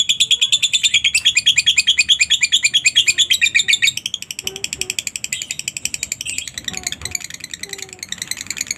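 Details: Lovebird singing a long ngekek, used as a lure to get other lovebirds to sing: rapid, regular shrill chattering notes about three per second for four seconds, then a softer, denser high trill with faint low whistles behind.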